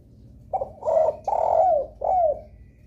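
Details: Spotted dove sounding a lure call that gets other doves calling: one short soft note, then two long hoarse coos and a final shorter coo sliding down, on a quiet humming background.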